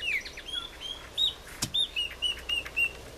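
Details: Chopi blackbird (Gnorimopsar chopi) singing at a ranch in the Cerrado of Mato Grosso, Brazil: a run of clear, liquid whistled notes, several level and ringing, about two per second, with one sharp click midway.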